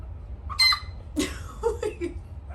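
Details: Six-week-old Olive Egger cockerel learning to crow: a short broken, squeaky hiccuping attempt, a strained high note followed by a few cracked hoarse squawks, indoors, with a person's voice just after.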